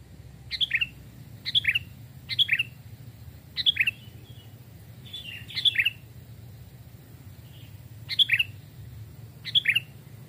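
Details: Captive Sooty-headed bulbuls raised from chicks, being tested in forest as decoys: repeated short fluty phrases, each a chirp and falling warble, delivered roughly once a second with steady low rumble beneath.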